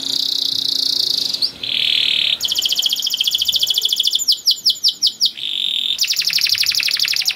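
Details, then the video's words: Canary song for tutoring young birds: steady high whistled tones alternating with fast rattling rolls and quick chip series, with faint background hiss. "Long Cuit Cuit Canary Masteran For Early Childhood Canary Baits to Sound Quickly || Voice of Canary"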